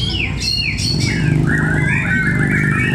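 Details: White-rumped shama (murai batu), a fighter bird competing at a bird contest in Cibinong: clear whistled notes that sweep down and loop, then rapid warbled phrases overlapping other birds singing, over a steady low crowd hum.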